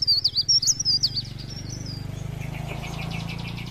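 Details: Mountain leaf warbler lure song, pre pare, blereng gacor style, for trapping birds; a quick run of high sharp zigzag notes, then a fainter rapid pulsing trill fading out over a low rumble.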